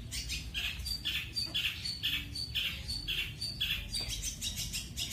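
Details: Long-tailed shrike singing in pastol style, training material of speed and shot rolls; short, bright, chattering notes come about twice a second in an even run, over a steady low rumble.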